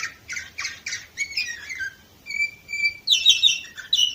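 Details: Canary song from Varna, Bulgaria, 2018, with three harsh rolled phrases, descending chattering notes, a long pure level whistle, then a bright buzzy trill and a final chirp.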